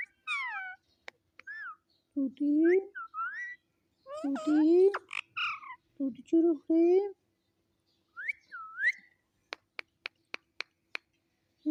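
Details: Pet talking parrot indoors, mimicking human speech with harmonic voice-like phrases such as "Mitthu", in short bursts with pauses, then a run of sharp clicking taps near the end.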